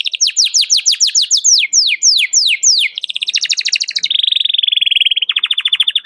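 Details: Energetic canary calling a rival, used as a lure for young canaries learning to sing: evenly repeated downslurred chirps give way to fine fast trills and a long steady buzzing roll.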